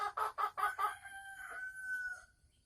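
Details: Caged Sumatran red junglefowl hen cackling (ngekek) as she prepares to lay eggs, recorded 24 December 2020: four loud, rhythmic harsh notes followed by a long, drawn-out wavering note that fades.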